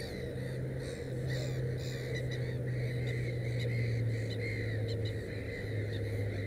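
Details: Black-headed gull at a nest with three chicks. Short, rough calls repeat rapidly, about four per second, with a steady low hum underneath.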